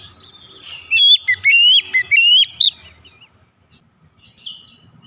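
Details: White-rumped shama singing to prompt other birds: one burst of loud, rapid whistled slurs and ringing notes lasting about two seconds, then near silence with a faint distant chirp.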